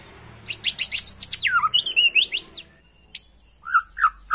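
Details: White-rumped shama song used to provoke a caged bird into persistent singing: a rapid run of sharp high chirps, then sliding whistles dropping in pitch, a pause, and three rich downward whistled notes.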